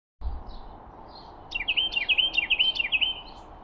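A Carolina wren gives a rapid series of about eight sharp, slurred notes over under two seconds, preceded by a few faint chips, over a steady background hiss.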